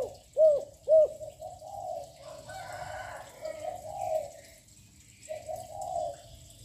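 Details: Young spotted dove with a loud voice, cooing continuously to lure wild doves: two sharp, loud hooked notes open, followed by softer, drawn-out hoarse cooing phrases, with a faint rustle in the middle.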